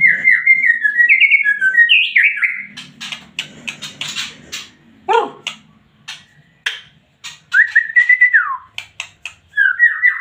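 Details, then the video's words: Murai batu, the white-rumped shama, in lively full song: slurred whistled phrases give way to bursts of sharp clicking and rattling notes and a fast downward sweep, then more clear whistles resume. "MURAI BATU GACOR PLONG FULL EMOSI TINGGI"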